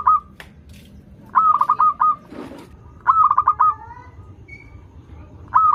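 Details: Local zebra dove in active song, used to prompt doves learning to sing: several rapid, rolling coo phrases, one brief low thud, and faint clicks in the background.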